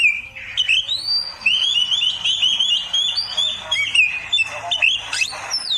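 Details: Kacer, the oriental magpie-robin, singing a continuous tutoring song for beginners: a long run of bright whistled notes rising and falling, with quick chirps and a final steep upward sweep.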